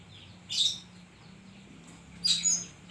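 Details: Oriental magpie-robin singing a koslet-filled song: two short, loud, scratchy high bursts nearly two seconds apart, each holding a brief clear whistle, over a steady low hum.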